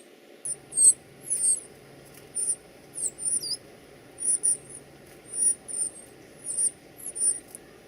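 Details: Baby birds being fed give very high, thin squeaky begging calls in short bursts of two or three notes, repeated roughly every half second to second, over a faint steady low hum indoors.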